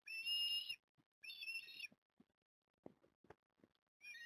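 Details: Port Lincoln ospreys at the nest on 09 October 2021, during a big feed for the three growing young, filmed by a live cam. Loud whistled, harmonic-rich calls in three bursts of under a second each, with soft tearing and shuffling sounds between.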